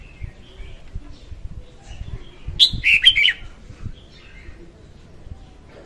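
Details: Singing female red-whiskered bulbul used to lure birds for trapping: one brief jumbled phrase of bright slurred whistles midway, amid faint distant chirps and low background noise.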